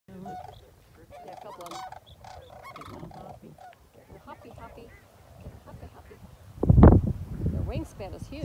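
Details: Migrating flock of sandhill cranes at Whitewater Draw giving rolling, trumpeting calls, many birds overlapping throughout; a loud low thump and a voice near the end.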